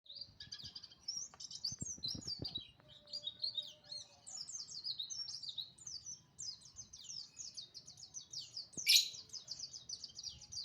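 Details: Oriental white-eye singing in the morning: a long, rapid stream of high, thin twittering notes, dense slurred chirps with a brief louder burst near the end, over a faint low background rumble.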